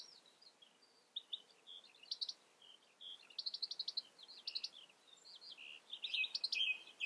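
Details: European goldfinch calling: quiet, quick twittering chirps and short tinkling notes in loose bursts, some buzzy and some clipped, growing livelier toward the end over a faint background hiss.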